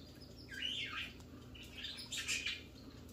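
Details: A cockatiel calling while looking for a partner or playmate: a few scratchy, warbling chirps with rising and falling notes, spread over about three seconds against a faint background hiss.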